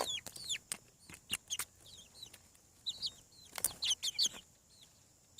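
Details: Newly hatching chicks on a farm peep in short shrill falling notes, grouped in uneven clusters, mixed with sharp percussive clicks; a lively run of calls closes the stretch.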